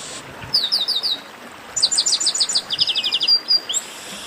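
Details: Chestnut-capped blackbird delivering a fast series of bright high chirps, then a long evenly paced trill of clipped notes, ending with a rising slurred whistle.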